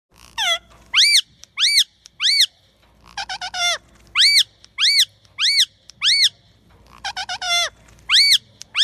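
Alexandrine parakeet chick giving loud, harsh, arched squawks, some in quick stuttering runs, repeated irregularly about every half second to second.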